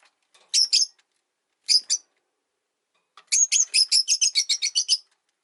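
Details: Rosy-faced lovebirds housed three to a cage, the resident bird unhappy with a newcomer: two double chirps, then a rapid string of about ten shrill chirps in quick succession.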